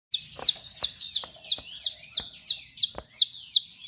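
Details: Bar-winged prinia in energetic, sharp-voiced song: a fast chain of high, downward-sliding whistled notes, about three each second, with crisp clicking ticks scattered between them.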